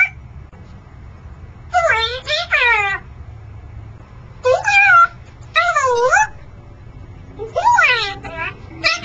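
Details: Pet male Congo African grey parrot, kept on a perch in a scuba diving shop by day, gives loud wavering meow-like cries in short bursts, several in quick succession, over a low indoor hum.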